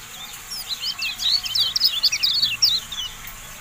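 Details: Javan white-eye training song: a dense run of high, piercing whistled chirps, rising and falling zigzag notes repeated quickly and unevenly, strongest in the middle of the phrase, with faint hum underneath.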